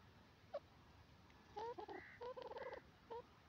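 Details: Grey francolin, known locally as dakhni teetar, calling in quiet surroundings: a short note, then a rapid series of sharp paired metallic notes, and a final single note.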